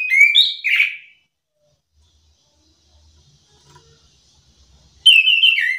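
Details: Chestnut-capped thrush song meant to stir lazy thrushes into replying: bright whistled phrase with a rough, buzzy ending, near silence with faint low knocks, then another high falling whistled phrase.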